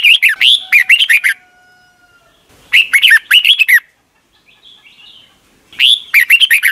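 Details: Thai Red-whiskered Bulbul, caged, whose song is replayed mornings for young birds to learn: three busy phrases of tumbling, chirped whistles, with a faint thin whistle in one gap.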